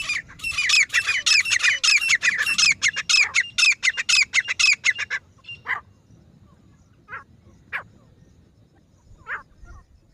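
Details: A loud, dense burst of harsh, rattling repeated notes from a female grey francolin lasts about five seconds, then a few isolated single calls spaced well apart over a low background rumble.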